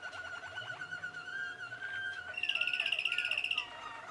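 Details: Young Malinois Waterslager canaries from 2016: rapid rolling low trill, then a bright fast-pulsed trill on one pitch lasting about a second, ending in soft gurgling.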